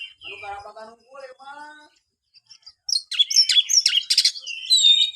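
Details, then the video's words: Oriental magpie-robin, for a kept bird that sings little: a few lower nasal notes, a brief pause, then loud rapid high chattering and bright whistled song. "buat burung Kacer anda yang malas bunyi"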